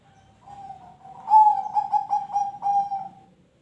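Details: Zebra dove song used to prompt other birds to sing: a soft low coo swells into a loud phrase of about six rolling, bubbly pulsed notes on one mid pitch, fading at the end.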